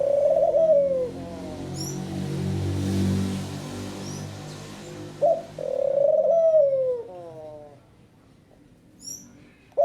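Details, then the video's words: Picazuro pigeon singing: two drawn-out, low, slightly wavering coos that slide down, each ending in a short descending tail note. A steady low hum runs beneath the first half, and faint high chirps from small birds are heard. "O CANTO DA POMBA BURGUESA"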